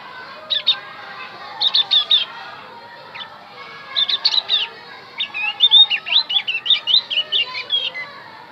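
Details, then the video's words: Javan grey-throated white-eye singing to lure wild birds: short groups of sharp high chips, building into a fast, sustained sequence of sweet, wavering whistled notes. "opior Jawa pasti nyaut pancing dengan Opior Jawa ini"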